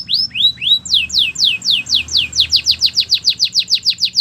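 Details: Belgian canary warming up with a training song: rising whistles, then a long series of falling slurred notes that speed up into a rapid, even rhythmic run.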